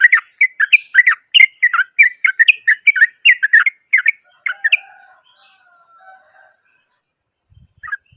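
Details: Yellow-vented bulbul giving a loud, rough rolling song that provokes other bulbuls. Rapid, jumbled, chattering notes repeat for nearly five seconds, then quiet faint notes follow and one final note is heard.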